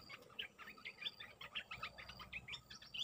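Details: Bulbul lure call played for trapping birds, a lively chatter of quick bubbly notes, ten or more in three seconds, with rising and falling whistled slurs over faint hiss.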